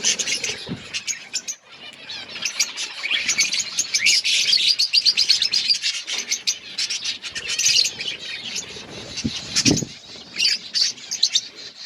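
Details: A crowded outdoor budgerigar colony chirps continuously: thick high-pitched twittering from many birds, with a few louder squawks and a brief thump near the end.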